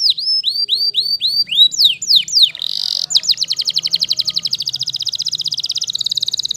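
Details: Waterslager canary song opening with slower looping whistled notes, a brief buzzy rattle, then a long series of quick falling notes delivered about four per second at a steady pace.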